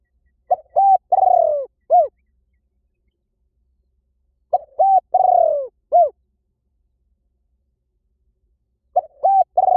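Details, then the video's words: Spotted dove cooing used to lure birds in for decoy hunting: the same four-note phrase repeated about every four seconds, each with a long wavering falling coo, in clean silence. "เสียงนกเขาใหญ่ หมานๆ ต่อเข้าเร็ว ป่าไหนก็เข้า"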